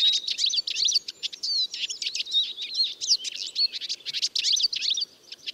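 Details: Eurasian siskin singing a continuous, lively twitter of high chirps, rising and falling slurs and short trills.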